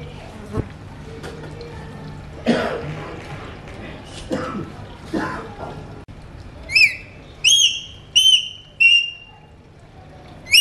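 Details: Pet Alexandrine parakeets, kept as talking parrots and said to be whistling: soft murmuring voice-like sounds first, then five sharp, bright, downward-sliding calls with rich overtones in the last four seconds.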